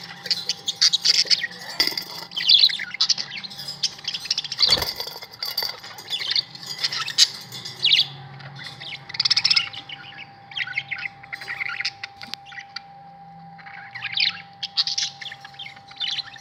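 Budgerigars chatter with a busy stream of high chirps, squeaks and warbles.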